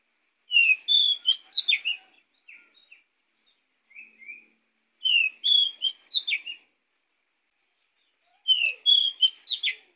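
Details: Pied bushchat in lively song used as a lure for other birds: short bright whistled phrases of rising and falling notes around two to four kilohertz, repeated about every four seconds with softer notes between, no background noise.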